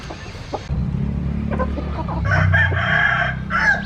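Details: Rooster crowing: a loud, sustained harmonic crow lasting about a second, followed by the start of another, after a few short clucks, with a low droning hum underneath.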